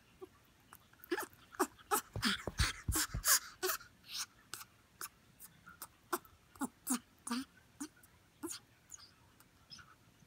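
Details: A clingy grey parrot chick, born September 2018, gives rapid, repeated whiny, puppy-like begging calls, about three per second, with a few harsher rasping notes in a small room.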